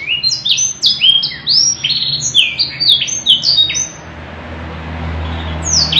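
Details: Canary singing a long, richly varied song, called kenari gacor cengkok mewah: rapid chains of high whistled and trilled sweeps, many falling, packed closely for about four seconds before the song eases into a quieter stretch with a faint low hum.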